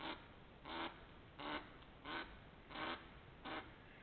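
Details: Ducks recorded in late March to early April 2021, with a run of broad, raspy quacks repeated at fairly even intervals of about seven tenths of a second, over a noisy background.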